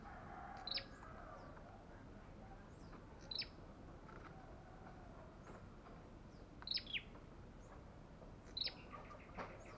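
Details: A fierce, aggressive olive-backed tailorbird repeats sharp high chips, some doubled with a falling second note, four bursts at irregular intervals, with faint background birds and steady hiss.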